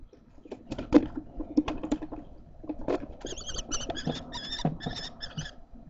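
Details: Common kestrel chicks in a nest box at Théding, 1 July 2024, after an adoption. Scratching and shuffling come first, then a run of about seven harsh, buzzy chattering calls in quick succession.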